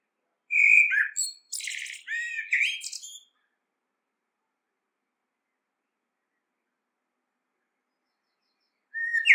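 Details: Common blackbird delivering a short fluty whistle then a run of scratchy, high twittering notes lasting about three seconds, a long silence, and another whistled note beginning at the end.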